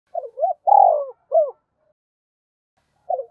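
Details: Spotted dove calling to provoke a rival: soft, low hooting coos in a short phrase, a rising-falling note, a long buzzy coo and a brief final note, then a pause before the phrase begins again.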